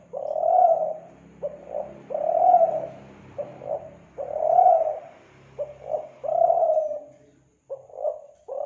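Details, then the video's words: Spotted dove lure song from Kelantan for attracting doves: repeated phrases of short coos and longer swelling coos, evenly paced, over a faint low hum. "Pancingan Suara Burung Tekukur Kelantan"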